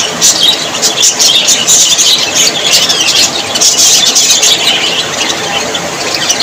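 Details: A group of budgies, called very happy Australian parrots, produce steady shrill warbling and chirping, many voices layered into one unbroken high chorus.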